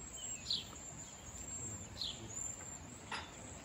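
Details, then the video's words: A wild flock of cedar waxwings gives a few thin, high whistled notes, one sliding downward, spaced about a second and a half apart over steady soft hiss. "Wild Cedar Waxwing Bird Flock Chirping & Whistling"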